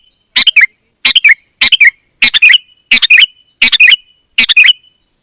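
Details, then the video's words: A golden-fronted leafbird in full gacor isian singing. Seven quick phrases of crisp chirps and twisting slurred notes come in fast succession, each under half a second, with a thin high whine throughout. "Ternyata seperti ini suara burung KUTILANG EMAS 😲 gacor isian"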